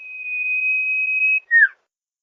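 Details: Sirpu or sirdung lure song: one long, flat, pure whistle running over a second, finished by a quick, loud downslurred note.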